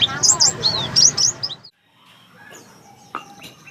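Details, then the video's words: Javan myna (jalak kebo), kept as a companion bird to pleci, noisy and a good singer with many imitated notes, gives a rapid burst of high, squeaky whistles and chirps for over a second, then falls quiet; faint background and a single click follow. "agar gacor pinter ngomong dan kicau - jalak kebo"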